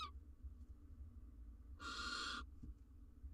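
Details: Barn owl mother in a wild nest box, watched by a live nest camera while incubating her eggs, gives one harsh, breathy hiss of less than a second amid a low steady hum.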